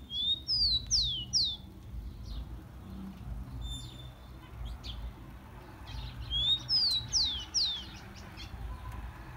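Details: Two songs of a rufous-collared sparrow (tico-tico), meant to warm up captive birds, come about six seconds apart. Each is a rising whistle and then several bright, falling slurred whistles, with scattered softer chips between and a low hum behind.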